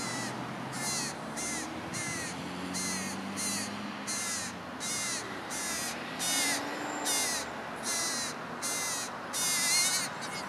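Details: Juvenile American crows, nearly independent and able to feed themselves, give harsh, nasal, wavering begging caws to parents at feeding, about one every second, some stretched into whiny pleas, over a low background hum.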